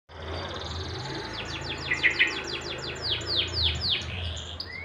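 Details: Canary singing during the rainy season: a fast run of high, sharply descending sweeps, roughly three or four a second for about three seconds, with a few bright clicks in the middle, over steady broadband hiss and low rumble.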